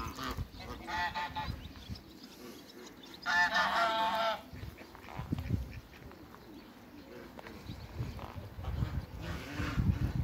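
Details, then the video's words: African geese kept on a farm meet a newcomer: one long, loud burst of rapid stacked honks in the middle, with faint honks earlier and low rumbling, shuffling noises throughout. "TITANO MEETING AFRICAN GEESE"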